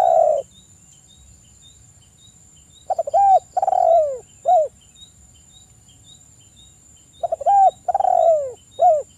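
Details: Spotted dove singing as a lure to provoke other doves: phrases of a short rising coo, a long falling coo and a closing clipped coo, repeated roughly every four seconds, with a faint high insect buzz behind.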